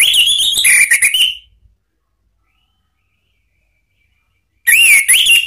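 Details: Orange-headed thrush singing in the ngeplong style, a recording used as a lure to train cage birds: a loud, ringing whistled phrase wavering around a rising note, a long silence, then a second bright, warbling whistled phrase.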